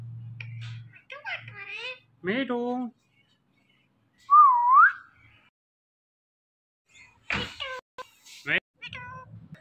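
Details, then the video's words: Indian ringneck parrot, described as a flock, gives a steady looping whistle midway, then sharp raspy squawks and short harmonic chatter in quick bursts toward the end. "Ringneck Parrot Flock Natural Sounds"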